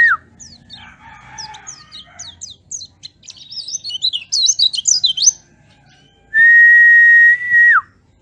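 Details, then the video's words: Oriental white-eye singing, used as a lure to get caged birds singing: quick high chirps that build into a dense, excited twittering run, followed by a long, flat, loud whistle that drops at the end. "Pancingan supaya pleci cepat gacor"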